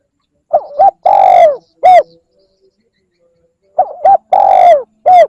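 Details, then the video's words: Spotted dove call played to lure birds, two repeated phrases, each two quick coos, a long sagging coo and a short final one, separated by about two seconds of quiet. "CU gáy gọi kích bổi nhanh nổi Hiệu quả / Tiếng chim cu gáy kích bổi"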